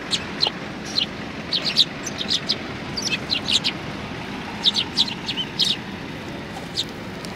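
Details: Sparrows gathering at a Tenmangu shrine to be fed, 16 January 2020, utter scattered sharp chirps in small clusters over steady background noise.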